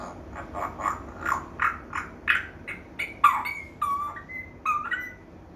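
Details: African grey parrot making varied sounds: a run of short nasal rising notes about twice a second, then clearer whistled tones with level and falling pitch.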